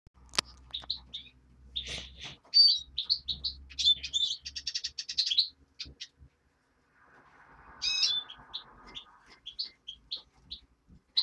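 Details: European greenfinch nestling giving a varied series of high chirps and short rapid twittering bursts, with a brief pause and a low rustling noise midway, then more scattered high cheeps.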